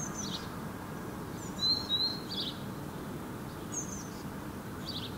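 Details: House sparrow perching in an apple tree in Helsinki, Finland, in July 2017, giving short, high chirps in scattered ones and twos against a steady low background hum.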